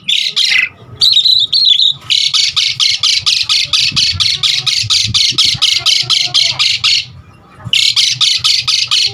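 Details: Asian pied starling in lively full song, used to lure and tutor other starlings: a rough note and a wavering whistle, then a long rapid train of harsh squawks, a pause, and the rasping series again.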